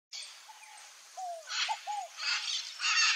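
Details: Scaled dove song: a short run of low, arched cooing notes, mostly two and three together, heard under loud bursts of hissing, buzzy background insects or birds.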